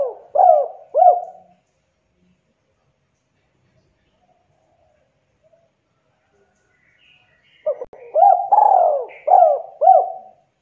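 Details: Javanese spotted dove giving the rapid two-note KUK 2 call style, meant as a lure to start lazy doves calling: two throaty, arched coos, a long pause, then a denser burst of rolling coos with a few faint higher chirps.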